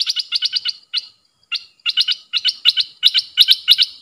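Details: Caged decoy bulbul calling toward wild birds: rapid, sharp, high chattering notes delivered in tight bursts of four to six, separated by brief pauses and repeated almost continuously.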